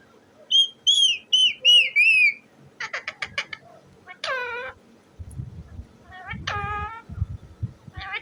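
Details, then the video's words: Parrot vocalizing, said to be talking: four bright whistled notes with bent, wavering shape in quick succession, then a rapid burst of clicky pulses and several descending harmonic squawks, with low background rumble toward the end. "parrot ki masti wale speaking,totay ki masti"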